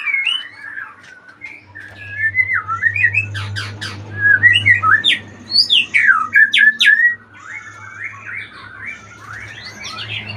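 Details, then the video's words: Retired champion magpie-robin, a contest bird, singing a varied run of whistled, warbling phrases with sharp rising and falling notes and quick chattery bursts in the middle, over a steady low electrical hum. "Murai Badheuk Sang Juara Pensiun"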